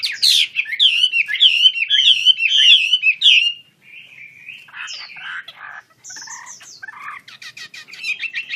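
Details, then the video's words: Chinese hwamei (Wambi Kembang) singing vigorously with wings open: about three and a half seconds of loud rolling whistled phrases, then quieter scattered notes and short high chirps. "KICAU HWAMEI WAMBI KEMBANG GACOR BUKA SAYAP"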